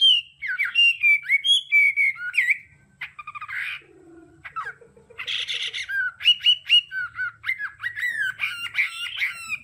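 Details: Hwamei, a caged songbird, delivering a rambling song of rapid whistled phrases, harsh buzzy bursts and a brief low note, with clear slurred whistles returning near the end.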